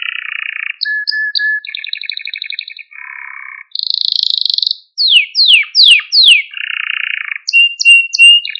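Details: Male Maltese canary varies its song to stimulate other canaries: low buzzy trills, a high rattling burst, loud down-slurred whistles, then soft chips and a steady trill.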